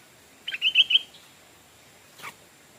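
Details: Stripe-throated bulbul used as a decoy bird, calling to draw wild birds in: a bright, slightly buzzy phrase of about four quick notes, then a lone sharp click after a pause.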